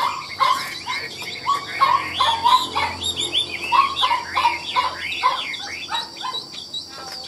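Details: A caged Chinese hwamei, praised as a nonstop singer with nodding, embellished delivery. Harsh, chattering notes repeat about three times a second, with a steady thin tone in the background.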